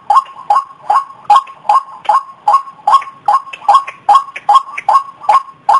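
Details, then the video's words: White-breasted waterhen call used as a lure: loud, evenly spaced nasal notes with an upward flick, repeated about two and a half times per second in a steady, insistent rhythm. "SUARA PIKAT BURUNG RUAK RUAK"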